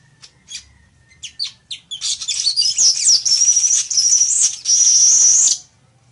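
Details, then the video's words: Village weaver singing: a few scattered short chips and ticks open, then the song swells into a long, loud, wheezy sizzling buzz with rapid chattering flutters, lasting over three seconds before ending sharply. "ASI ES EL TEJEDOR Y SU HERMOSO CANTO [Ploceus cucullatus]"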